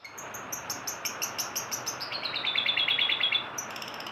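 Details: Long-tailed shrike singing: a fast run of short, high, sharp ticking notes repeated about three times a second, then a rapid rattling series of slightly lower chirps, ending with more high ticks over faint background hiss.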